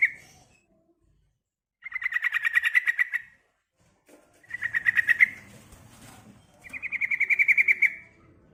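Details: Calling female yellow-vented bulbul answering for a male: three chattering, bubbly pulsed phrases of about a second each, evenly spaced by short pauses, over a faint low rumble.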